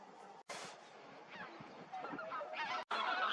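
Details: Whooper Swans, apparently a family of five, in winter at Hak Reservoir, Cheorwon, Gangwon, South Korea, give nasal, bugling honks, several overlapping notes in quick succession, over background music and soft water noise.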